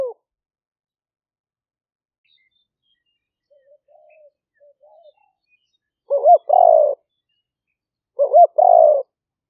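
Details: Spotted dove lure recording in the Thai lahw fueang style, recorded live in rainy-season rice fields near Roi Et, Thailand, on a smartphone. A faint murmur is followed by two loud three-part coos about two seconds apart.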